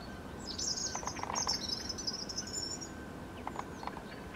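A robin sings one high, thin, warbling phrase of about two seconds, with quick wavering notes. A steady background hiss and a few faint lower chirps follow.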